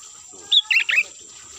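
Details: Sooty-headed bulbul call used as a lure to attract birds: three quick, bright chirped notes within half a second. The first is higher and clean, the next two are slurred and bubbly, over a steady high-pitched hiss.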